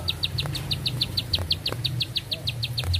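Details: Long continuous song from a bar-winged prinia: crisp high notes pulsing rapidly and evenly, with a faint low hum and light background noise.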